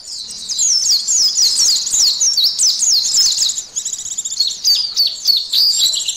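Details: Oriental white-eye singing in an emotion and arousal test: a continuous, high-pitched chattering warble of quick sweeping notes that run together for several seconds, with only a short dip midway.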